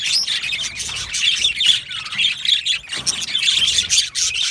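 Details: Yellow male budgerigars in an aviary chirp and warble in a dense overlapping chorus, with scratchy squawks and occasional clearer whistled notes rising above.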